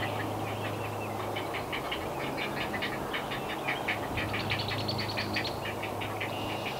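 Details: Great Blue Heron nestlings in north-central Massachusetts, USA, begging as parents arrive with fish; loud, insistent run of dry clacking pulses in a fast, even rhythm, over a low droning hum.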